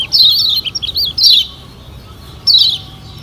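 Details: Lure song of the Lombok yellow white-eye for rousing birds to sing: one short burst of sharp, high, looping chirps, a pause of about a second, then another brief downslurred twitter.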